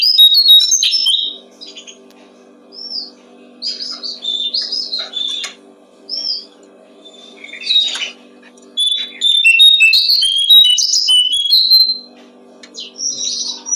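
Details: Brown-streaked flycatcher song meant for training songbirds: irregular bursts of high chirps, short whistled upslurs and buzzy notes spread over nearly fourteen seconds, with quiet gaps and a continuous low background hum.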